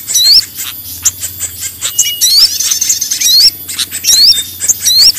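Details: Small-bird lure sound: loud rising whistled upslurs repeat more than once a second among harsh squawky chatter and high ticking notes, over a faint low hum.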